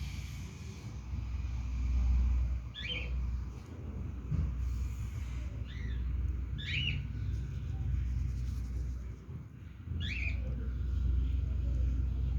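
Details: Tiny 48-hour-old baby cockatiel, about two inches long, being hand-fed, giving four short, high, rising chirps spaced a few seconds apart over a steady low rumble and hum.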